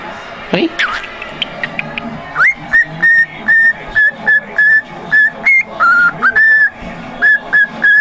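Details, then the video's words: After a sharp rising and falling squeak, a pet cockatiel launches into Jingle Bells, whistling a steady chain of pure, evenly timed notes with occasional lower and higher steps. "my cockatiel singing Jingle Bells and talking"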